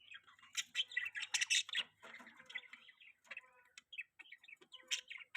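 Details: Budgerigar chattering: dense, scratchy warbling and squawky chirps, louder in the first two seconds then breaking into quick scattered chirps, with faint low hum underneath.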